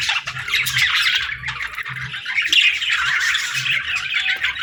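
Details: Baby budgerigars playing and chirping: a dense, continuous mass of scratchy warbling and squawky chirps from several birds, with faint low hum beneath.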